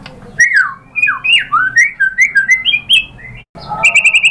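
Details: White-rumped shama lure song aimed at stirring other shamas into full song. Sequence of varied slurred whistles, each note sliding up or down, then a quick, even burst of repeated high chips.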